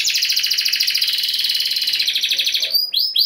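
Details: Canary delivering a long, even, buzzy rolling trill, sung to spur other canaries into singing, ending with a couple of sharp upswept chirps.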